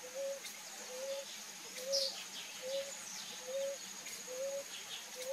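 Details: Ruddy ground dove at its bath gives soft, low, hollow coos repeated steadily, a little under one per second, over a thin high insect hum and one brief high chip.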